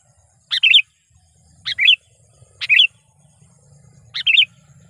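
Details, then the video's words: Trained lure sooty-headed bulbul calling to provoke wild rivals; four crisp double-noted chirps, a high stab then a lower twist, spaced about one second apart against a quiet background. "suara panggilan kutilang pikat"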